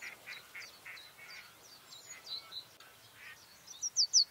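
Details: White-spotted bluethroat (Luscinia svecica cyanecula) singing in May: soft, quickly repeated high notes with paired lower tones, ending in a few loud, sharp, clear notes.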